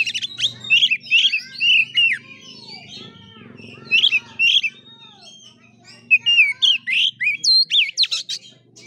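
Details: Fighting-style song of an oriental magpie-robin in the kura-kura manner: bright whistled notes and slurred chirps in paired bursts, a pause of soft twittering, then a fast run of rising and dipping whistles over a low hum.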